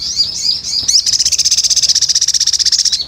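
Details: Chatty 'gacor' sunbird lure call: a few high sweeping chirps, then a sustained rapid trill of evenly pulsed, very high, thin notes lasting two seconds.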